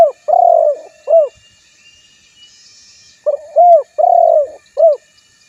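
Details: Two spotted dove phrases split by a two-second pause, each a short note, an arched coo, a throbbing rolled coo and a brief closing coo, mellow and low-pitched.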